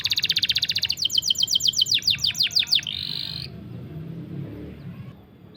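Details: Long trilling canary song for training silent or juvenile canaries: a rapid high trill gives way to repeated steep downward-sweeping notes, then a short buzzy rattle before the song stops and quiet background remains.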